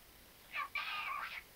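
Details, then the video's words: Pet parrot talking: two short bursts of high, harmonic, voice-like chatter, the first brief and the second longer and wavering, against a quiet background with no other clear sounds. "Попугай Чика разговаривает многого..."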